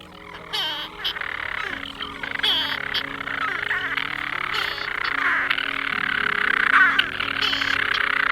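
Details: European storm petrels calling in summer from inside the ancient broch on uninhabited Mousa, Shetland, where they nest in cracks and holes, give a continuous rough purring churr with frog-like croaky breaks, overlapping in a steady stream over a soft music bed.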